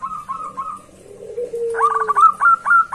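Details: Zebra dove, calling loudly to a rival. A few soft coos open the call, then a long low sliding tone. A fast burst of clipped, rising cooing notes follows, with a faint hum underneath.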